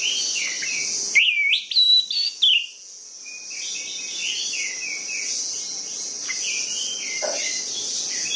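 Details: Orange-headed thrush song used as a lure to get sluggish, reluctant birds singing: clear whistled phrases, loud and slurred for about a second and a half, then softer rising and falling notes over a steady high hiss.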